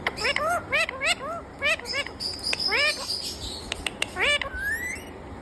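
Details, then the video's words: Rose-ringed parakeet kept as a talking bird, saying "Mummy Mitthu": quick runs of short upward-bending nasal syllables packed closely in the first two seconds, further phrases after, and a long rising whistle near the close. A faint high hum persists. "kittu parrot Mummy Mitthu bolne wala parrot"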